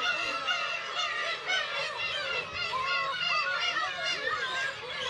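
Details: Black-tailed gulls at a breeding colony of some 30,000 birds on Kabushima island, Hachinohe, Aomori, Japan, on 10 June with chicks present; a dense chorus of overlapping mewing, cat-like wails and harsh cries without pause.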